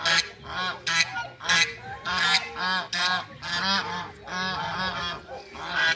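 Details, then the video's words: A pair of mallards meeting at a waterbird farm in Greece give harsh, nasal quacks in overlapping, honking bursts every couple of seconds, over a steady background hiss. "MEETING COUPLE MALLARD DUCKS"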